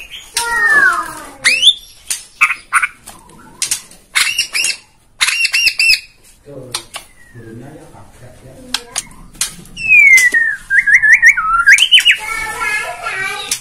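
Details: Bornean white-rumped shama (murai Borneo) singing, a lure to provoke other birds into song; scattered sharp high notes and rattles, then a run of rising and falling whistles near the end, with quiet gaps between bursts.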